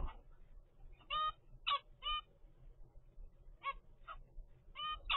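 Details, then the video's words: A 25-day-old captive zebra finch youngster from a first brood gives repeated short nasal honks, often in quick pairs, roughly every half second, with faint low hum behind. "zebra finch baby DAY 25"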